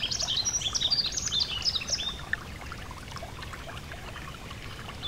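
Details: High, quick chirping and thin whistled notes from a yellow-throated bunting fill the first two seconds, then stop, leaving only the soft rush of a gentle stream.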